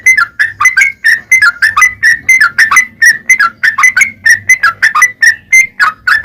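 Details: Yellow-vented bulbul in vigorous long rattling song, used as a lure to provoke other bulbuls into singing: loud bubbly notes near one pitch with sharp clicky starts, delivered in quick bursts for about six seconds.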